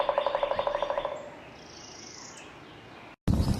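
A woodpecker gives a fast, even rattle of about a dozen mid-pitched notes in one second, then goes quiet before a burst of loud rough noise.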